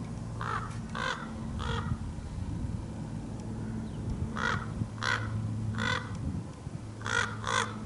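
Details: Large male common raven giving short harsh calls in groups of two or three, broad and noisy, with a steady low engine-like hum throughout.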